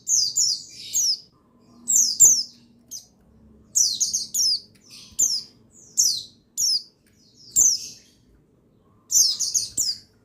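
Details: Male buxtoni white-eye sound meant to make lazy white-eyes sing: clusters of two to four quick, high, downslurred chirps repeated roughly every second or two, separated by short silences.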